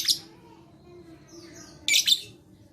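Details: Lovebird song meant to prompt silent lovebirds to sing: a sharp harsh chirp, soft high twittering, then a double scratchy burst near the end, with low room hum throughout.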